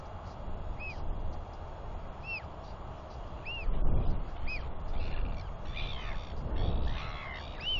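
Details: Royal albatross chick wheeing as it walks down a track to its father, who is back three days running to feed and preen it, dated 9.6.21. A neighbouring chick also wheees. Short arched whistles repeat every second or so over heavy low wind rumble.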